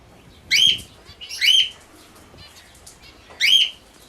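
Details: Sun conure playing with a ring: two harsh, screechy chirps in quick succession, a pause, then a third matching call.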